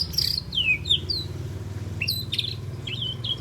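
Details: Three-month-old spotted juvenile white-rumped shama learning sharp sweeping besetan and tembakan notes: high whistled downslurs in short separate bursts, then a quick cluster of sharp notes, over a low steady hum.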